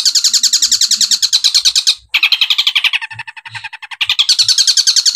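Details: Long-tailed shrike (cendet) singing in the tembakan masteran style: loud, rapid strings of sharp repeated chattering notes, a brief break near two seconds, then renewed fast phrases.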